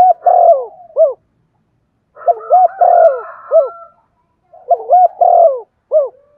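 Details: Spotted dove cooing, played to spur another bird into song; three-part phrases of low hooting coos, short rising notes then a long falling coo and a closing hoot, repeated three times with pauses, a fainter second dove overlapping.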